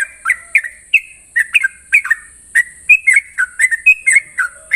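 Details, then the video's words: Sooty-headed bulbul singing in the morning in the long, rapid 'ropel' style: short liquid whistled notes, some rising and some falling, given in quick bursts of about one per second. A steady high thin whine runs throughout. "Ropelan trucukan gacor terbaik penuh emosi pagi hari"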